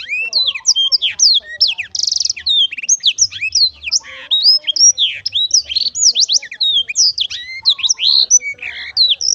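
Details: Lively song of a Black-throated canary, a continuous chatter of high sharp chirps, whistled downslurs and occasional buzzy notes, sustained at a rapid pace throughout.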